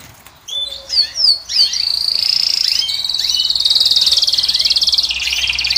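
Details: Caged European goldfinch of the Moroccan type singing to attract a female: a few quick upslurred chirps, then a long sustained buzzy trill rolling steadily for several seconds.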